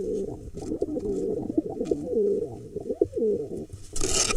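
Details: Courtship dancing of a male and female pigeon in a barn owl nest box, Hula Valley, Israel, 4 July 2021; louder, continuous rolling coos with swooping rising-and-falling inflections in an enclosed space, ending in a burst of rustling noise.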